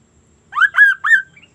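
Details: Sunda laughingthrush singing vigorously with an unusual sound: three quick harsh, rasping notes, each rising then falling, run together in under a second over a quiet background.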